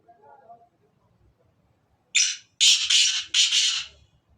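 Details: Soft low chirps open, then after a silence a black francolin, kala teetar, bursts in with a short harsh note followed by three loud, scratchy, rasping notes run closely together.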